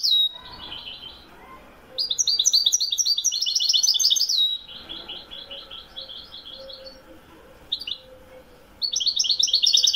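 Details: European goldfinch, Wedani song style, Morocco. Long runs of fast, rhythmic twittering and liquid trills in bursts several seconds long, broken by brief silences, with a faint low hum underneath.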